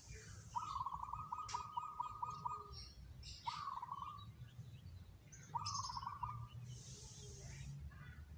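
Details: Local zebra dove singing three rolling cooing phrases near the same pitch, the first long and drawn out, the others short, with faint hiss and chirps of other birds in the background.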